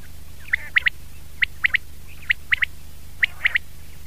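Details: Common quail (batair), 2019: clipped three-note phrases of short, sharp high pips, the phrase repeated about once a second with brief gaps, steady low background hum.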